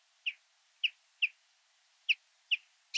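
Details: A moderately alarmed Common Chaffinch (Fringilla coelebs) gives flight calls, a sound it makes only in flight. They are short, soft, high chips given singly at irregular intervals of about half a second to a second.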